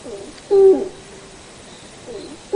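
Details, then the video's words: A single low, hollow hoot from a Malayan night heron. The note is short and steady, then drops at the end, over quiet background sound. "黑冠麻鷺/Malayan Night-Heron"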